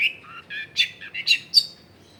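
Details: Lively long-tailed shrike song meant to coax lazy shrikes into singing, taken in a densely populated residential area; quick series of chirped and buzzy notes alternating high and lower pitches, with sharp accented peaks.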